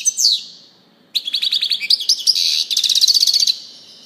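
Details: European goldfinch singing: a high downslurred note, a pause, then a fast run of bright twittering and buzzy trills, ending in a rapid repeated ticking burst.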